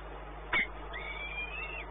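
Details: Peregrine falcon at Płock, Poland, recorded 1 May 2019 at 12:57: a sharp knock, then one drawn-out thin whining call that slides up and wavers before dropping away, over low mechanical hum.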